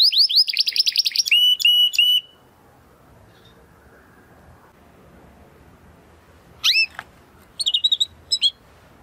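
A Belgian canary sings loud, bright phrases of rapid trills and sharp repeated notes, pausing for several seconds before a second burst of ringing chirps.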